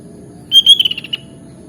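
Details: Sooty-headed bulbul singing in the lively gacor masteran style: a short bright phrase of two clear whistled notes, then a quick run of five descending chirps, all about one second long, over a faint low hum.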